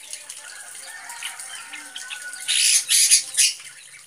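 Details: A black drongo mimicking a sooty-headed bulbul gives three or four harsh, high squawking bursts in quick succession after a quiet stretch of faint thin notes.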